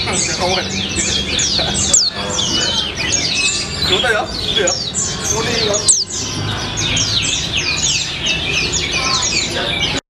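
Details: White-eye in busy 'gacor ngalas' song with colibri-style phrasing: rapid cascades of high downward-sweeping chirps, nearly continuous, brief dips around two and six seconds, faint human voices in the background.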